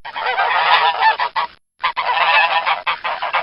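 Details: Domestic goose giving a rapid tumble of rough, nasal honks, cut by one clear pause near the middle, after which the crowded, grating calls carry on to the finish.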